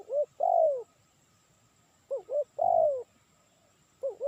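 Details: Spotted dove cooing for luring: paired short upswept notes, each set followed by a drawn-out, downward-sliding coo, repeated about every two seconds. A thin steady electronic whine sits in the background.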